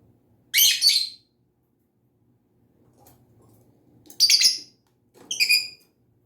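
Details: Pet lovebird producing harsh, high chirps, then after a pause another shrill chirp followed by a quick series of short rising whistled squeaks.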